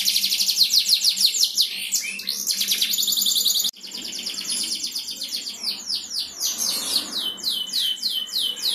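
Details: Canary singing to provoke other canaries, opening with fast buzzing trills, a short break, then repeated swept chirps at around three per second in high register.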